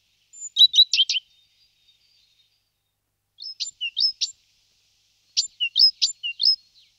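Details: Great tit (Parus major) producing short clustered bursts of sharp, stuttering high notes, three groups separated by pauses of about a second or two, against a quiet background.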